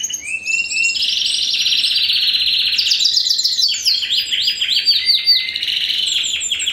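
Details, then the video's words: Song of a 2015 first-generation Spanish Timbrado × wild-type canary cross: rapid high trills flowing into a series of descending swooping notes, about four per second. "Timbrado Español x Serinus Canaria"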